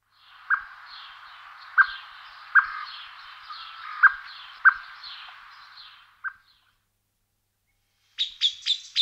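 Common blackbird song: mellow, low fluted notes about once a second over a busy background chorus, then a burst of high, squeaky twitters.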